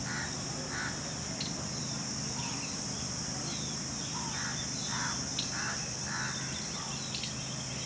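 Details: Jungle babbler family together in trees on 22 June 2021, flitting between branches: harsh, nasal chattering calls repeated irregularly, roughly every half second in bursts, over a steady high insect drone and faint clicks.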